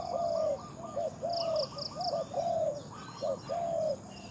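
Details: Spotted dove calling in a competition setting: repeated mellow coos with short bursts and longer held notes, pausing between phrases, while faint high chirps of another bird sound behind.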